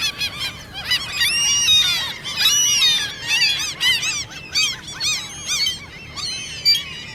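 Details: A group of common gulls squeaks in the mating season, begging. The squeals are dense and strident, with up-swept and down-swept notes, loudest early on, then thinning into separate calls.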